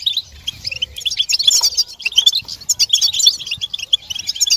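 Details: European goldfinches twittering together to rouse a silent male into song; softer scattered chirps at first, then a dense, bright chattering of many high notes.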